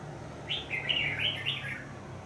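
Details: Red-whiskered bulbul singing as a decoy to lure birds into a trap, where an escaped bird was caught back home; a lively warbled phrase of quick whistled notes over a steady low hum.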